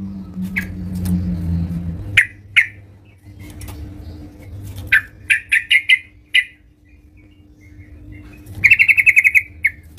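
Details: Yellow-vented bulbul singing at home: scattered sharp chips, then a quick run of clipped notes, ending in a short buzzy rattle, against a quiet room with a steady low hum.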